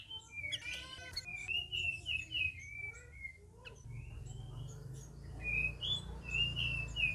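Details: Red-whiskered bulbuls kept together, first week of care, giving short rolling whistled phrases, rising and falling, repeated several times against steady low background noise.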